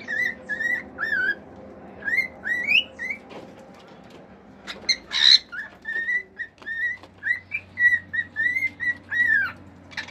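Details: Male cockatiel, a household pet, whistling a varied song of its natural calls: wavering and upslurred notes, a short harsh burst midway, then a fast run of bright repeated whistles.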